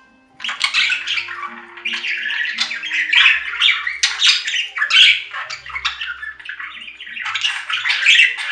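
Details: Budgerigar in lively continuous chatter of harsh squawks and fast warbled notes, with faint low thumps in the background.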